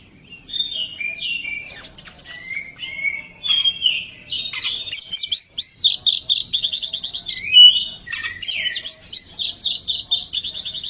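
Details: Champion white-rumped shama in song: a long, varied stream of high, sweet whistles and slurred notes, followed by fast rattling trills and buzzy chattering phrases, delivered almost continuously.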